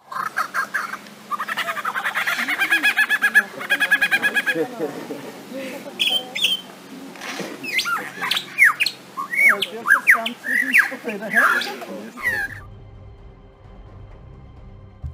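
A lyrebird mimics other sounds: a rapid kookaburra-like cackle, then sharp whistles, chirps, clicks and pops in quick irregular bursts, ending abruptly in low background hum.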